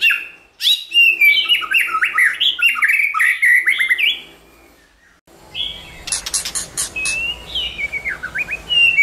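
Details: White-rumped shama pouring out a varied song meant to provoke shamas into singing: quick rising and falling whistles, a short lull, then sharp high clicks and looping whistled notes over faint low background rumble.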